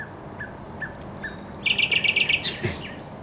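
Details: Song of a thrush nightingale at the Żerań Canal, 24 April 2022: a run of high, sharp down-slurred whistles repeated about every half second, then a quick series of loud, even staccato notes.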